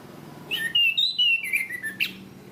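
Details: Orange-banded thrush (Zoothera interpres), a caged songbird recorded as a training song for other cage birds: a clear whistled phrase of sliding notes, stepping down through a series of drawn-out tones over about 1.5 s, with steady low room hum behind.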